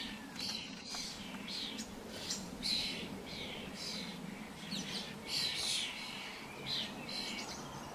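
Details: Starlings moving about as a group, producing scratchy squawks and chirps in clustered bursts, louder toward the end, over a continuous low background drone.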